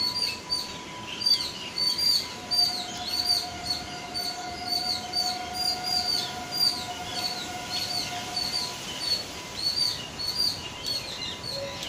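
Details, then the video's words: Yellow-billed babbler, known locally as Demalichcha, in Sri Lanka: high squeaky chattering notes repeated throughout, several overlapping, over a steady tonal hum and a long level whine in the middle. "Demalichcha | Yellow-billed babbler"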